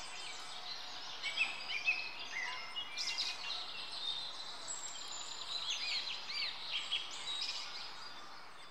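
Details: Long-tailed tits (Aegithalos caudatus) feeding on a fat dumpling at Rombergpark botanical garden, Dortmund, on 14 March 2014 give thin, high, rapid twittering and buzzy 'tsirrup' contact calls, overlapping in quick bursts over a steady background hiss.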